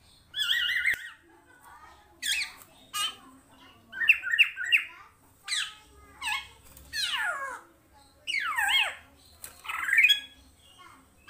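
Black-naped oriole giving harsh, nasal squawks and slurred downward-sweeping notes in bursts about a second apart, with some chattering phrases between; indoors, otherwise quiet.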